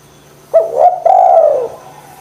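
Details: Spotted dove, a lively singing bird used to stimulate lazy doves to call: a short rising note, then a longer sustained coo that falls away at the end, low and mellow with faint background hum.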